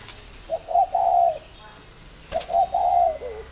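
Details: Spotted dove calling, with signs of readiness to pair. Two coo phrases of soft, low cooing notes, each a short note followed by longer drawn-out coos, the second phrase ending in a brief trill. There is a faint clatter between them.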